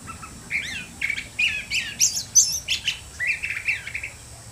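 A curve-billed thrasher sings a rapid run of varied, warbled phrases, bright and high, each note slurring up or down, with only a faint hiss behind.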